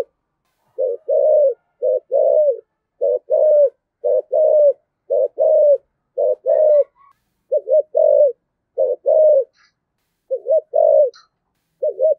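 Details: Decoy spotted dove with the "giọng thổ" voice, giving a long series of low, falling coos in pairs and threes. Near the end come a few quavering double notes. The background is quiet.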